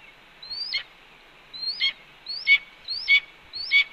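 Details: Red-tailed hawk, female, returning to her Cornell nest on a May 2013 evening and announcing her arrival to the nestlings. Five clipped, rising-then-plunging squeals spaced roughly half a second to a second apart, clean and evenly paced.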